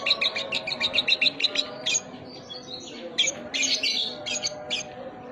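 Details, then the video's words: Lovebird singing a filled song, sogon isian. Loud, fast bursts of high chirps and trills come in quick runs, some notes repeated in rapid series, then varied buzzy phrases. A steady low hum lies underneath. "Sogon Isian Lovebird"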